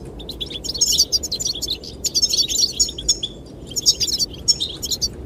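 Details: Courting goldfinches chirping to win a female, set against wind: dense, jingling runs of high twittering notes in two- to three-second bursts, interspersed with lone chirps, and a faint windy background.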